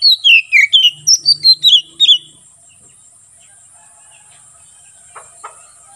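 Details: Kacer, the Oriental magpie-robin, in loud ngeplong song meant for tutoring and for luring wild birds in forest: about nine quick whistled notes, each sliding downward, packed into two seconds, then near silence with two soft clicks.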